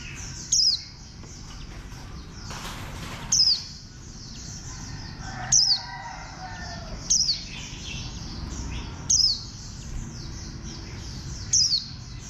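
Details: Warbling white-eye repeating brief, shrill, downward-sliding chirps roughly every one to two seconds, six in all, with constant high-pitched background hiss and a faint lower sound near the middle.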